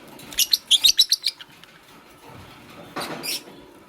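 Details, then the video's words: Green Fischer's lovebird with a pastel partner, busy making a nest: a quick run of about eight bright, high chirps, then a short rasping burst after a pause. "Lovebird Chirping Sounds"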